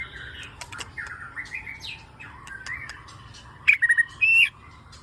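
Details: White-rumped shama (murai batu) song used as a lure for captive birds: soft varied warbling over background hiss, then a few loud sharp chips and a bright ringing whistle near the end.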